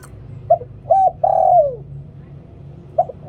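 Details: One full 'liw tan' phrase from a spotted dove used for luring, with a short opening note, a rounded coo and a long descending coo. A fresh phrase begins as the sound ends over low rumble.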